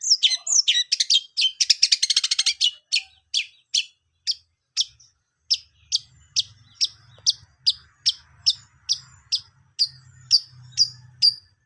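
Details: ['Long-tailed shrike: a fast chattering burst followed by a steady run of sharp single notes, about two per second, with a low hum in the background.']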